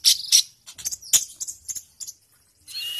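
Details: Sunbird singing fiercely for songbird tutoring: loud high sputtering clicks and scratchy notes that fade into softer ticks, ending in a thin sustained high whine.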